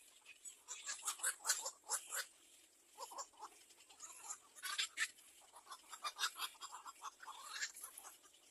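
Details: Little egret chick begging its mother for food: harsh, broadband chattering pulses in quick clusters, bouts of rapid ticking separated by short pauses, with one rising squeal near the end.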